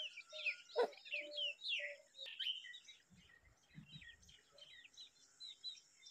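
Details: Brahminy starling chick guarding an egg gives rapid squeaky chirps and twisting whistled notes, several every second, over a faint steady tone. One sharp knock sounds early, then low rustling and fluttering in the middle.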